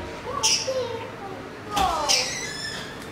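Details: A young budgerigar being hand-fed gives harsh, raspy begging calls in two short bursts.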